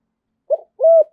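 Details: Spotted dove with a 'giọng thổ' voice, calling to lure wild doves: a brief soft note followed by one longer, level, hollow coo.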